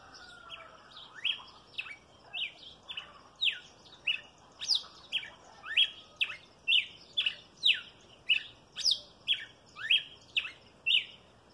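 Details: Red-cowled cardinal singing a steady series of short, sharp, bright notes, each a quick sweeping stroke, repeated roughly once per second over a quiet background.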